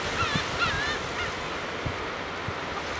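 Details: Brant on a sandy Pacific beach in Iwate, Japan, where fresh water flows in, watched from about 10 m, give a few short, rolling, throaty calls in the first second, then fall quiet under steady surf and wind.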